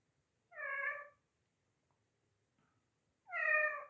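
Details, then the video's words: Parrot imitating a newly arrived household kitten, giving two clear, harmonic meows about three seconds apart, each lasting over half a second, with near silence between. "Parrot meowing and making cat sounds"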